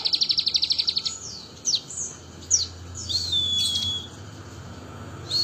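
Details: Crested jay copying the bar-winged prinia: a quick run of about a dozen high ticking notes, then sharp downward flicks and a long, thin, level whistle, with a short high note at the end.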